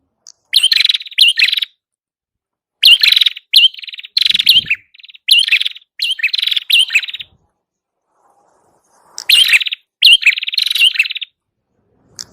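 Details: Lure song of the prinia called prenjak kepala merah: repeated clusters of chattering, buzzy trills and upslurred whistles over about twelve seconds, with a gap of roughly two seconds in the middle. No other sounds.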